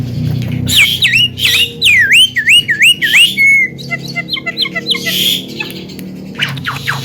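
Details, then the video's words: Javan myna, a captive bird described as able to talk and chatter, delivers loud wavy whistles repeated in a bouncing series, a long flat whistle, quick dotted ticking notes, a rasping burst and sharp descending chips at the end. "NYANYIAN SUARA BURUNG JALAK KEBO PALING MERDU"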